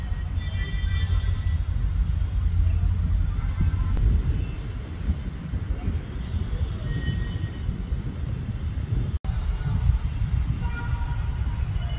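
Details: Low traffic rumble and faint background music fill the recording, with no clear animal calls.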